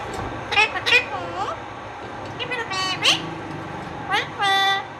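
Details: A talking Indian ringneck parakeet, a male, chatters in short, high, speech-like phrases with nasal harmonics, saying things like "give me a baby", ending in a longer drawn-out squawky word; faint background hum.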